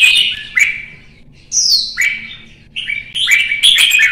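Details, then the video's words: Red-whiskered bulbul, one of Vietnam's songbirds, singing gently: four bursts of rich, clear whistled phrases over about four seconds, each with quick slurred notes that swoop up or drop down, separated by short pauses, with a quiet background. "CHÀO MÀO | Bóng bộ nết đánh nhẹ nhàng"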